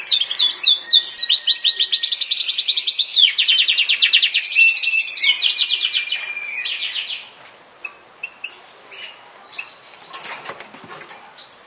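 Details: Song of a Yorkshire canary, a dense high trill of rapid repeated notes lasting about seven seconds, then fading into a few scattered soft chirps and faint knocks.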